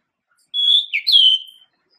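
A male pied bushchat gives one brief, clear whistled phrase: a level note, a quick dip, then a bright rising note that slides down. The background is silent.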